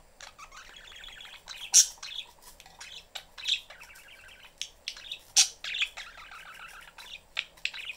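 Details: Caged pet budgies, a family with the mother busy and the youngster looking for attention, chatter in fast grating warbles and rattling trills, punctuated by loud piercing chirps about twice, with scattered clicks between phrases.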